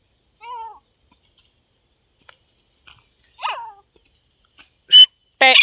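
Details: Grey francolin, playing and fighting: scattered calls in near silence, a wavering harmonic note early, a falling sweep mid-way, then two loud, harsh, bright bursts at the end.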